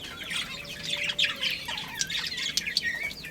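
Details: A colony of budgerigars including a breeding pair chatters in a continuous, busy flow of high, quick, warbled chirps from many birds at once, with a faint steady hum underneath.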